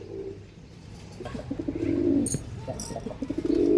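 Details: Andhra line pigeon in a sequence of deep, throaty coos that build in loudness, ending in a strong sustained coo, with some clicking noises in between.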